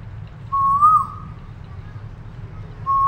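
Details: An Asian koel recorded in a nature reserve gives a clear, mellow whistled note that swells slightly upward, followed by the start of another, over a low background rumble.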